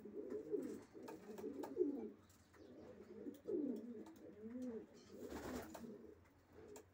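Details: Racing pigeons giving low, burbling coos in bursts, rising and falling phrases repeated with short pauses, and a brief rustle of movement near the end.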